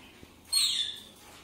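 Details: Pet Blue-and-yellow Macaw indoors with its owner coaxing it in Czech: a single short, harsh, raspy squawk about half a second long, high and broadband, rising out of a quiet room.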